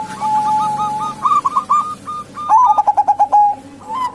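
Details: Female zebra dove, local type, calling as a lure for males; spaced, clipped coo notes give way to a loud burst of rapid pulsed cooing, then a final short phrase, over a low hum.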